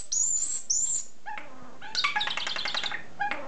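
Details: Caged pet common starling indoors: two high, thin squealing whistles, then short lower chirps and a fast clicking rattle, ending with another chirp.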